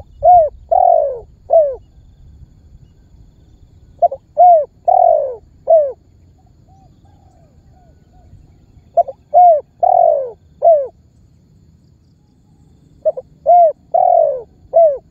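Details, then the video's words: Spotted dove lure calls to prompt other birds to sing: four evenly spaced phrases, each a short note, a coo, a long falling coo and a final clipped coo, with a few faint soft notes between phrases. "SUARA BURUNG TEKUKUR MEMANGGIL DAN MENEKAN MEMBUAT BURUNG LAIN IKUTAN BUNYI"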